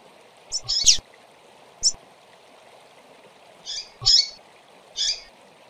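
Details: Females of the double-collared seedeater calling to excite males: six short, buzzy chirps in loose bursts, a double note near the start and another cluster near the end, over a constant low hiss and occasional clicks.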